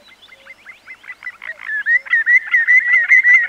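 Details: Common Greenshank singing close by in Inverness District, Scotland: fast, rhythmic, ringing two-note phrases around mid-pitch that swell in loudness, with a distant cuckoo and willow warbler faintly behind.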